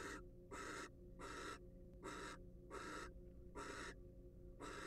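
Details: Wild barn owl at a research nest box camera, giving a series of about six rasping, breathy hisses, evenly spaced less than a second apart, with a constant low hum underneath.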